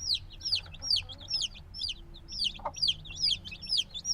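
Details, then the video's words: Noisy black chicks only a few days old, still needing their mother's warmth, chirp in a busy chorus of high, downward-sliding peeps, several birds overlapping, with a brief lower knock midway. "Baby Chicken Sounds - Baby Chicken Chirping Noises"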